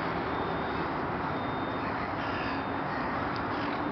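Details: A large group of crows in Burnaby, BC, Canada, disturbed as people walk around them; loud rasping caws overlap against constant dense urban background rumble.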